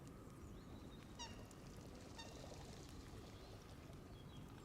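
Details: Canada goose flock feeding at the water's edge around a camera left in the grass; two clear, ringing honks about a second apart rise above a constant low rumble, with faint higher bird notes.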